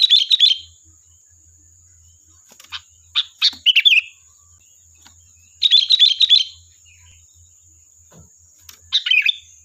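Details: Gacor song of a sooty-headed bulbul used as a calling lure: bursts of rapid chattering, bubbling notes in clusters, some longer rolling phrases, separated by short gaps, over a steady high faint hum.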